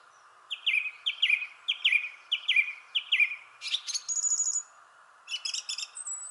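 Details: Thrush singing in a shrubbery tree: a short downslurred phrase repeated five times in quick succession, then bright, varied high whistles and trills, over a faint steady background hum.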